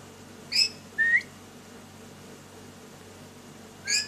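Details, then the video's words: Lory kept indoors, active and playing: a sharp high chirp followed by a short rising whistle, then a pause and another chirp. "DAILY ACTIVITY OF LORY BIRD, PLAYING SINGING"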